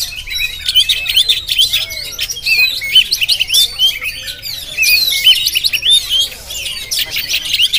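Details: An Oriental magpie-robin, Jampang type, caught on a GoPro in full song: rapid bright whistles and chatters in bursts, with short upswept notes and brief dips in loudness between phrases.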